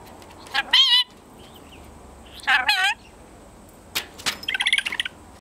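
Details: Ten-month-old male pet red-collared lorikeet calling indoors: two loud, rapidly wavering voiced bursts about two seconds apart, then a quick string of short clicking, chattering notes near the end.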